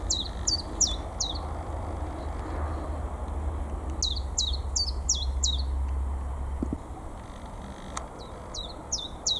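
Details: Common chiffchaff singing in full song on 22 March in North East England, newly back from winter migration: bursts of sharp, downward-sweeping notes repeated about three per second, pausing between phrases, over low rumbling background noise.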